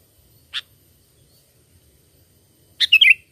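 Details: Lure song of a sooty-headed bulbul for trapping birds. A single clipped note is followed about two seconds later by a rich, bubbling phrase of rapid warbled notes. Otherwise near silence.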